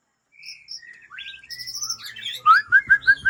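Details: Original breeding-stock Aceh white-rumped shama from Lamteuba singing: soft varied whistles and slurred high notes build to a loud run of four or five identical rising whistled phrases in quick succession.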